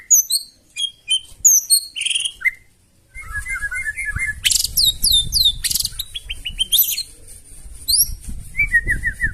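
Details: White-rumped shama singing harshly to provoke replies: spaced clear descending whistles, then dense rapid phrases of chips, trills and high notes over low background rumble.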